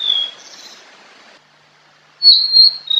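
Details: Fork-tailed sunbird, called sulingan or tledekan, used as a lure: a high whistle fades out, followed by silence, then a loud, piercing, steady whistled phrase with a short repeat.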